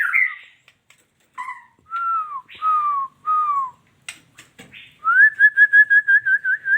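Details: Female white-rumped shama producing several drawn-out downslurred whistles, some clicks, then a rapid series of rising whistled notes repeated like a trill.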